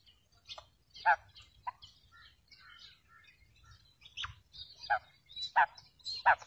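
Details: Calling female quail, recorded to lure quails into traps: hoarse, short notes repeated irregularly over light chirping from other small birds and faint low background noise.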